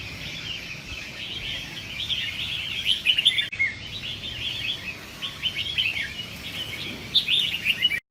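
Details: Caged red-whiskered bulbuls bred for competition: a dense stream of fast chirps and whistles that builds into loud clustered notes around the middle and again near the end, with a brief break partway through.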